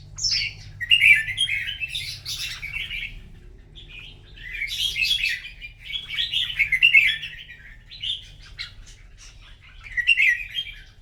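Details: Red-whiskered bulbul singing in a morning contest: bright, warbled whistled phrases in bursts of one to two seconds, separated by short pauses, with quick chirps between them and a faint low hum underneath.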